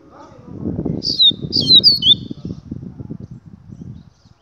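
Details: One brief phrase of high, descending whistled notes from a double-collared seedeater over loud low rustling and thumping, possibly wing flapping or handling.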